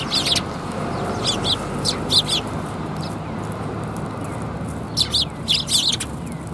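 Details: Eurasian tree sparrows gathering for food at a Tenmangu shrine, 10 January 2022: short sharp high chirps arrive in scattered bursts of two to four, separated by gaps of a second or more, above constant low outdoor noise.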